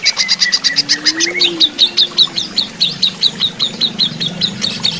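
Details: Greater green leafbird during running-water therapy: a fast buzzy chatter that turns into a steady series of sharp, high ticking notes, with a low droning sound underneath.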